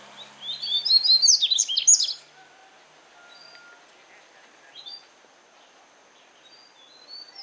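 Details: Double-collared seedeater (coleiro) singing a southern regional song, Paraná style, in the open: a quick burst of high, sweet chirped and warbled notes over about a second, then quiet with a few faint distant chirps.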